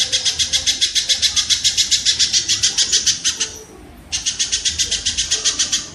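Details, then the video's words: Kingfisher sound used for songbird training: a sustained, fast, high-pitched trill of clipped, even notes, broken by one short pause before the rattle resumes. "suara burung tengkek"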